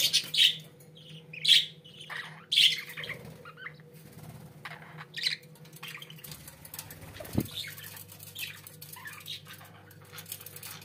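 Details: Pet budgerigars giving a few short, bright chirps spaced about a second apart, then quieter scattered twitters, over a constant low electrical hum and an occasional thump.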